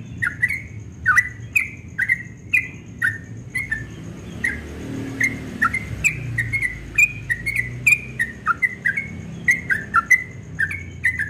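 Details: Rapid ropel song of a yellow-vented bulbul at dawn. Bright chirping notes repeat quickly, pause briefly midway, then resume in a denser string of sharp, slurred whistles over faint low background noise.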